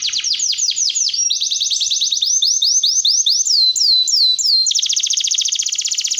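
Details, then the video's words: Canary performing a long varied song: quick descending sweeps, a slower series of looping whistled notes, and a final rapid buzzing roll, all loud and clear. "Pancingan KENARI Gacor Panjang || Suara MASTERAN KENARI"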